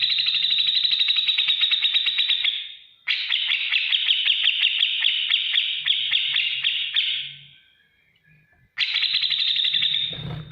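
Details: Grey-cheeked bulbul in lively ngetik ngipik chatter, a training song for other cage birds: fast ticking buzzy trill held steady and high, broken by a short pause near three seconds and a longer gap before a final burst, a faint low hum beneath.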